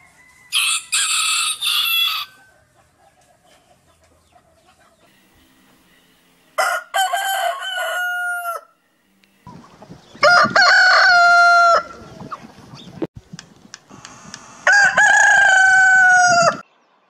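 A rooster crows four times, each a loud, harsh, drawn-out cock-a-doodle-doo a few seconds apart.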